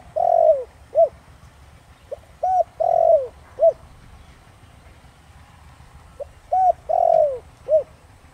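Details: Decoy spotted dove in Thổ Đồng voice, meant to make wild doves respond: three unhurried low coo phrases separated by pauses, each ending in a long falling note and a short clipped coo.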